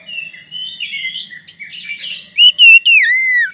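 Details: Black-breasted Oriental magpie-robin in full song, used as a lure to get a rival magpie-robin to sing too; soft scratchy warbling gives way to loud, clear whistled notes, several sliding downward, over a faint low hum.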